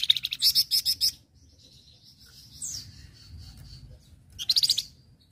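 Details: Flamboyan, a recording meant for training other birds. It opens with a loud fast series of high buzzy notes, then a soft drawn whistle with a downward slur. Another quick rattling burst of repeated notes closes it.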